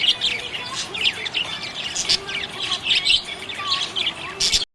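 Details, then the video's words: Budgie in a happy mood, chattering rapidly with high buzzy chirps and warbled squeaks, a few clearer whistled notes, ending abruptly. "Happy budgie chirping sound"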